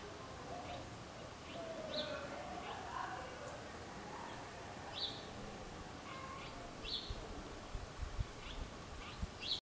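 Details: Dusky hummingbird in a garden in central Oaxaca, Mexico, January 2021, gives sharp, high chips, singly or in quick pairs, every second or two, over steady hiss with low murmurs.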